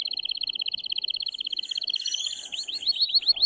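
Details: Male canary in very strong, excited song meant to stimulate the female to mate: a fast, dense trill of high buzzy notes for two seconds, then a quick run of repeated rising, upslurred whistles, about six per second.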